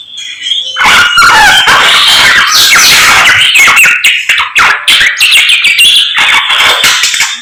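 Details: Morning song of a samyong bird in full voice. After a quiet start comes a rapid, varied stream of bright whistles, slurred upward and downward sweeps and chattering notes, almost unbroken.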